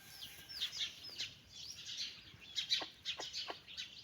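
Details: Mother hen calling her chicks to go for a walk: a run of short, low clucks in the second half, three or four in quick succession, over constant high, thin peeping and chirping from the chicks.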